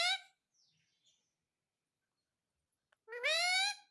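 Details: Pet parrot indoors saying "mummy": a brief harmonic vocal burst at the start, near silence, then a longer, rising, nasal-sounding utterance near the end.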